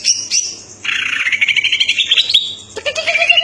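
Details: Vigorous greater green leafbird song, cucak ijo: a long, fast trilling chatter rising slightly in pitch over two seconds, broken by a sharp pause, then a lower wavering whistle.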